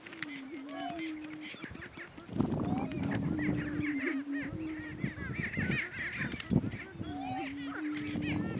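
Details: Battling male greater prairie chickens on a lek in northeast Kansas give a long low humming moan, joined after two seconds by dense rapid cackling, whooping and clucking from several birds that continues to the end.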